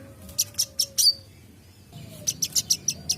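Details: Wiceh singing vigorously, a recording meant for tutoring songbirds: sharp, very high chips repeated about five per second in two quick bursts, with a faint steady tone humming beneath.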